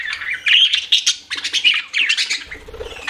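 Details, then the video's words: Pet budgies chirping: bursts of scratchy, buzzy warbles and squeaky whistles run almost without pause, rising and falling in quick uneven pulses, with a soft low murmur near the end. "CUTE PET BUDGIES CHIRPING"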